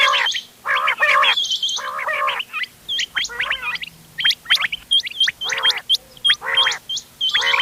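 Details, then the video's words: Mixed quail calls of the ghonge wal, doghla and changa styles, used for hunting and dated 31 October 2025: harsh, rich buzzy bursts alternate with quick rising hooked whistles, many overlapping in rapid series. "گھونگے وال دوغلا چنگا بٹیروں کی مکس آواز quail bird sounds for hunting bater ki awaaz"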